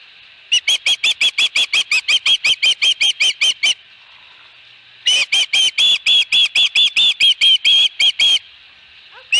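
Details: Osprey calling at the nest while holding a fish, 22 August 2020: two long rapid runs of loud, shrill whistled chirps, about fifteen notes each, split by a short silence.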